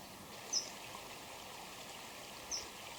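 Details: A common kingfisher sings, a male and female calling back and forth nearby by water: two thin, piercing high whistles about two seconds apart over the steady rush of a stream.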